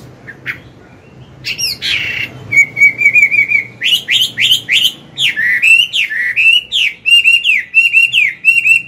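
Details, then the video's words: Morning song of a Chinese hwamei, a mature bird with a wild-type voice, sung to coach a young bird; harsh opening notes give way to varied loud whistles, slurred downward phrases and quick repeated rising notes. "Luyện giọng họa mi hót sáng, kích bổi mau căng lửa."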